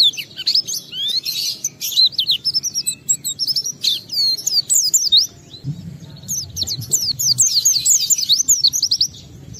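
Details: Oriental white-eye singing excitedly, played to make other white-eyes answer: long stream of high, thin whistled slurs and twitters in quick irregular bursts, a short pause midway, then a rapid run of downward-sliding notes.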